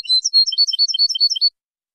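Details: European goldfinch song recorded in high quality for tutoring birds: a quick run of bright, high twittering notes that alternate between clear whistles and lower chirps for about a second and a half, then silence. No other sounds.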